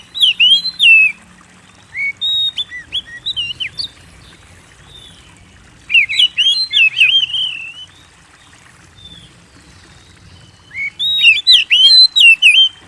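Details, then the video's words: Energetic Oriental magpie-robin song meant to draw kept birds into singing: three bursts of rapid, varied whistles and twittering trills, each lasting a few seconds, separated by short quieter gaps with scattered notes; background otherwise still. "Pancing Burung Kacer Gacor"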